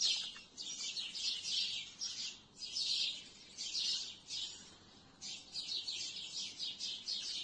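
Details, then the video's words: Twilight chorus of sparrows in trees: continuous high, scratchy chirping in rhythmic bursts, many birds overlapping, with a short lull before the chatter resumes. "The sound of sparrows on the trees in the twilight of the air"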